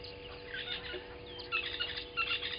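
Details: Southern masked weavers at Gowrie dam, Djuma Game Reserve, South Africa, early morning 07:30 on 12/06/20, just arrived: busy scratchy twitters and short high squeaks building after a quieter start, over a low steady hum.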